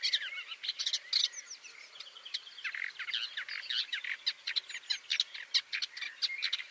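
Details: Shrike hunting and impaling prey on barbed wire or twigs: a long run of jumbled scratchy clicks, squeaks and short whistled notes, rapid and uneven throughout.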